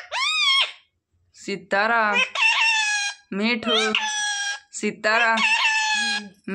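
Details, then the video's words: Pet parrot mimicking human words such as a name; harmonic, nasal, speech-like syllables in several short bursts with pauses, an opening rising-falling squawk, and people's voices nearby. "Parrot talking mummy mithu ko roti do"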